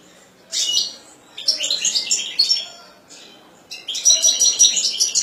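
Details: Kept European goldfinch singing energetic bursts of quick, tinkling high notes mixed with harsh buzzy trills, two long phrases separated by a short pause.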